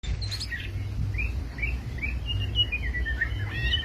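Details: White-rumped shama from Medan singing thin, high whistled notes. The notes rise and slur in a loose string, set over a steady low rumbling background noise.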